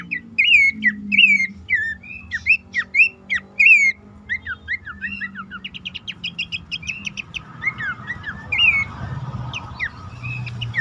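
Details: Bush warbler call used as a lure to set stuck, stressed or reluctant caged birds singing. Loud, slurred whistled notes dipping and rising repeat in quick bursts, then thin high ticks and trills over a faint low hum.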